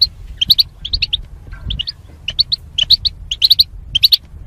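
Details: Caged goldfinch, part of a mating pair separated by wire, delivering high twittering chirps in irregular clusters of two to four notes, roughly two per second, with faint low rumble beneath.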